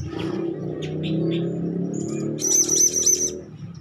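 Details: Hand-reared young Blue-crowned Hanging Parrot, now calling readily. Soft, faint high squeaks lead into a loud run of four sharp, buzzy chirps near the end. A humming low background continues throughout.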